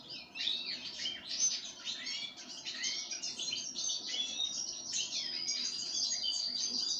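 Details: Sunflower seeds are being offered to a pine grosbeak. It produces a steady stream of bright, high chirping notes, many short and slurred, packed closely together with barely any pause.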